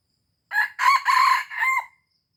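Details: Red junglefowl from Aceh, used as a lure call, giving one loud, hoarse crow of about a second and a half in four harsh segments, the last drawn out and falling, against a quiet background.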